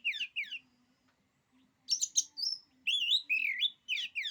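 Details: Oriental magpie-robin delivering a song said to make rival magpie-robins lose courage: two short slurred whistles, a pause, then a dense run of high sharp notes and long wavering warbled whistles, with a faint steady hum beneath.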